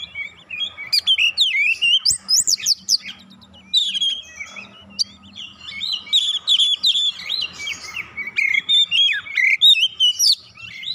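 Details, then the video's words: Lure song of an Oriental magpie-robin, meant to set hesitant birds singing: rapid tumbling whistled phrases, squeaky upward and downward slurs and clipped notes packed together, with a quieter gap midway and a low background hum. "PANCINGAN KACER lelet bunyi langsung gacor nembak rapat"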